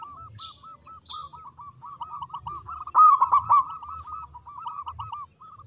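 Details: Local zebra dove in full song: a steady run of rolling, arched cooing notes goes on throughout, with a louder burst of rapid notes near the middle.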